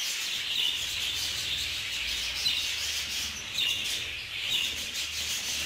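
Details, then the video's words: Group-housed budgerigars fighting, steady high twittering chatter with a few sharper chirps and a rubbing, scraping noise underneath. "اشتباك حقيقي بين طيور البادجي"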